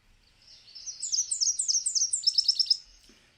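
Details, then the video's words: Nashville Warbler two-part song, 'sip, sip, sip, sip, tea, tea, tea': about six thin, sweet high notes, then the tune changes into a quicker run of sharp twittering notes at the end. "Do you hear how it changed tune halfway through its song? Sip, sip, sip, sip, tea, tea, tea."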